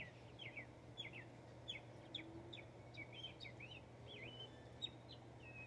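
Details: A Northern mockingbird in Texas sings a quick run of varied chirps and slurred, whistled notes, some doubled, over a steady low hum.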